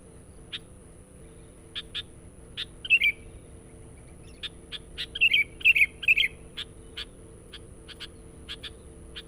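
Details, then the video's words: Sooty-headed bulbul used to lure wild birds, giving spaced single chirps with a cluster of three short bubbling, liquid warbles midway. "SUARA BURUNG KUTILANG PIKAT GACOR NGOTOT. PANCINGAN.."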